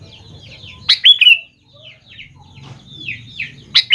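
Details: Sooty-headed bulbul singing, used as a lure to get young birds to answer; bursts of bright chirped and whistled notes with a quick downslurred phrase, softer twittering between them, a low rumbling hum underneath, and a sharp chirp at the end.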